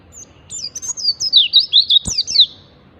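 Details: Oriental white-eye lure song in ngalas style for prompting caged birds to sing: one continuous phrase of very high, quick, jumpy twitters lasting about two seconds, broken by a single sharp click.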